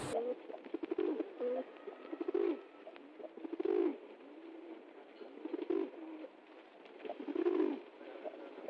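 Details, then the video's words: Pigeon cooing: soft, low, rolling coos delivered in short bursts roughly every one to two seconds, each with a throaty, wavering quality, against a quiet, slightly roomy background. "Il verso del piccione"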